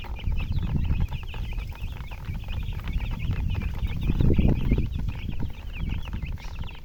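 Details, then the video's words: Chicks peep steadily in a high, thin chorus while loud low rumbling and handling noise sits beneath, partly covering the calls. "Chicks Chirping"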